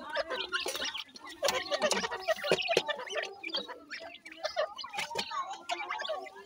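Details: Grey francolin (dakhni teetar) chicks calling: dense, overlapping high chirps and short peeps from several birds. Sharp clicks and taps are scattered throughout.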